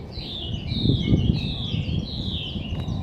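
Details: Bird calling at Hakkeijima among roses, a series of thin, high whistled notes sliding downward, repeated steadily, over a constant low rumble of background noise.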